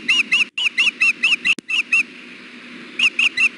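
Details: Female osprey on a Hellgate nest on a hot 93-degree June 6 afternoon, fussing for food while the male stands on the nest with leftover fish: sharp whistled chirps, each slightly arched, in quick bursts with a short pause midway.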